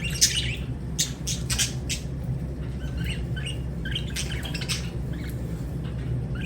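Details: Lovebird chirps and short squawks, high and scratchy, coming in scattered bursts over a constant low rumbling hum.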